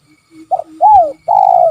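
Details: Spotted dove giving its "kuk 3" call: two short soft notes, a falling arched coo, then a longer level mellow note, all low and hollow.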